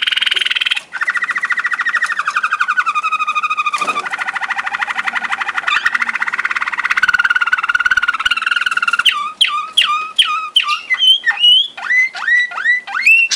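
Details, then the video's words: Song of a Waterslager canary, Malinois type, in Sakarya in 2011. A long, continuous rattling roll changes pitch in steps, then breaks into rapid bubbling, water-like slurred notes that dip and rise in quick succession. "watersager malinois"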